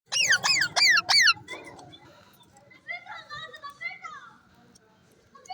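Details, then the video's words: Talking pet parrot, mian mitho, giving three loud harmonic squawks with falling then rising sweeps in the first second and a half, then softer chattering, speech-like notes and short whistles. "talking 🐦 parrots"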